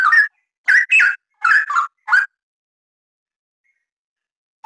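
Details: Straw-headed bulbul delivering a quick run of rich, gurgling whistled notes, rising and falling in fast pairs for about two seconds, then silence until a single fresh note at the very end; recording meant as a tutor song.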